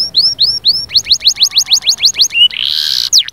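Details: Canary in full song: curved whistled notes, then quick steep upswept notes in a fast row, a short buzzy roll and a final sharp flourish.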